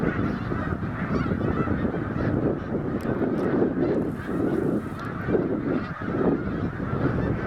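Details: Many snow geese massed on the St. François River at Drummondville's public beach and sailing club, 10 November 2012; a thick wall of overlapping honks and yelps, rising and falling in waves as the flock calls together.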